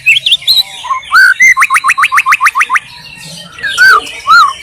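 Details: White-rumped shama singing in the wild in Indonesia, a varied phrase of looping whistles leading into a rapid burst of about ten sharp upswept notes, then rich, rounded slurred whistles to finish.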